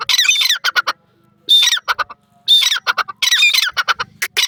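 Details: Partridge, locally called teetar, including the Irani teetar: loud harsh squawking bursts of rapid, grating notes, several clusters over under five seconds with brief silent gaps between them.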